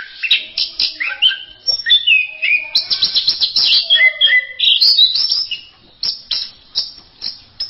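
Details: Masteran-style song of an orange-headed thrush: rapid, dense run of sharp chirps, slurred whistles and descending glides, about three to four notes per second, fading into spaced clipped chips toward the end.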